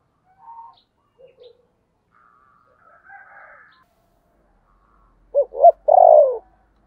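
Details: After soft scattered chirps from other birds, a spotted dove calls once near the end: two quick coos and then a long, sliding, downward coo.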